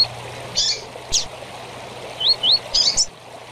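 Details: Tui-tui song with chirps of the double-collared seedeater, played to teach young birds. Scattered buzzy chirps, then two quick upslurred whistles and a burst of harsh high chirps over a steady low hum.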